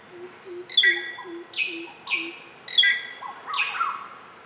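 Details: Greater racket-tailed drongo giving varied metallic whistles and sharp descending sweeps in two bursts about two seconds apart, against a soft repeated low hooting note and faint background hiss.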